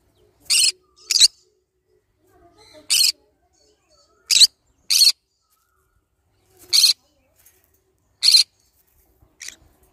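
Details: Green-cheeked conure repeating loud, grating squawks, some single and some in quick pairs, about nine bursts over ten seconds with near silence in between.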